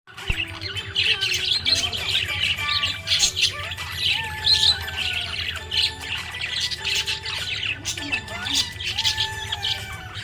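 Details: Happy budgerigar chirping: a dense, continuous chatter of squeaky warbles and short squawks, high and busy throughout, over a steady low hum and faint tonal background music.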